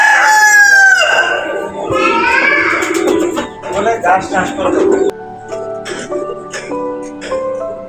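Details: A rooster kept on a rooftop alongside pigeons and other chickens starts calling on seeing its owner arrive; it ends a harsh, drawn-out crow that falls away at the finish, followed by talking voices and then background music.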